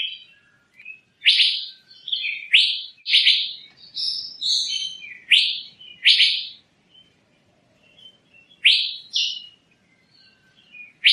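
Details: Asian fairy-bluebird: loud, sharp rising-then-falling chirped notes given singly and in pairs, with gaps of irregular length and a quiet pause near the end before more notes.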